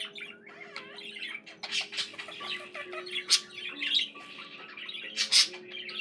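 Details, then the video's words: Budgie song of continuous twittering: jumbled squeaks, buzzy notes and sharp chirps running for six seconds, loudest spikes past three and five seconds, with quiet steady background tones. "Peaceful, relaxing budgie sounds for your bird"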